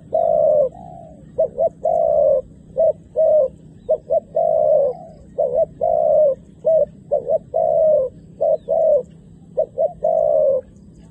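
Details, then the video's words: Decoy dove calling wild doves down to the ground, with both females and males coming down. Low hollow coos repeat steadily, a short clipped note followed by a longer drawn-out one, over a faint low rumble. "ធ្នាក់ព្រិចហៅលលកព្រៃនៅលើដី ចុះទាំងញីចុះទាំងឈ្មោល"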